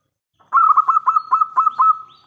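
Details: Local zebra dove singing loudly, used as a lure to make other doves answer: a fast run of about eight rolling, pulsed coos at one steady pitch. The phrase ends in a drawn-out tone with a clean, quiet background.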